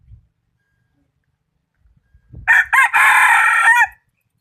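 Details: Decoy chicken for bird catching, noted for a good voice. After faint shuffling, one loud crow of about one and a half seconds: two short bursts, then a long even call closing with a downward curl.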